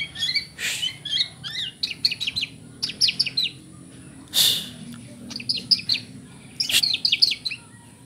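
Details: White-rumped shama, 'isian kapas tembak' fill, singing in quick stuttering bursts of sharp chips and short whistles, groups of rapid notes separated by pauses, with several loud broadband thumps and a steady high tone behind.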